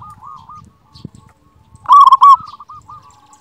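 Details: Local zebra dove with a loud voice, in a master song for stirring silent birds. One loud, quick phrase of coos stands in the middle, surrounded by quieter cooing, with a few low knocks in the background.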